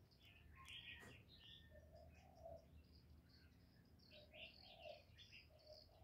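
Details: Spotted dove cooing in the 'giọng thổ' style to stimulate males: a few deep, breathy coos in two phrases, with scratchy high chirps from other birds, loudest at the start.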